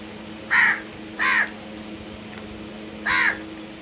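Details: Crow giving three harsh, hoarse caws, two close together near the start and a third after a pause, over a steady low background hum.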